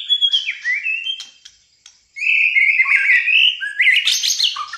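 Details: Malaysian white-rumped shama in full fighter-style song: a falling whistled phrase, a brief pause, then a loud, dense stream of sliding whistles ending in high scratchy notes.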